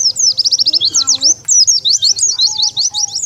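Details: Oriental white-eye lure call to bring wild birds in: a tight, rapid series of high, sharp chirps, about five per second, then a short break and another burst.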